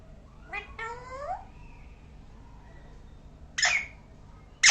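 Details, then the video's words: Parrot making a variety of sounds: two drawn-out, harmonic, whining notes that rise then bend down, a pause, then two short, harsh, broadband screeches, the last cut off at the end; quiet indoor background. "Parrot making different sound"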